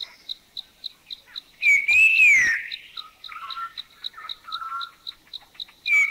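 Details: Puff-throated babbler, Thailand: one bold three-tone whistle that rises and falls, followed by soft chuckling and churring from the same bird species and the start of another whistle. A steady insect chirp ticks throughout.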